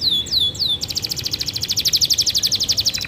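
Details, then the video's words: Canary singing in the gacor, cengkok mewah style: a few slurred descending whistles, then a fast even trill of buzzy repeated notes about four per second, high and bright, with a second quieter trill layered in. "Canary Gacor goyang indah, cengkok mewah."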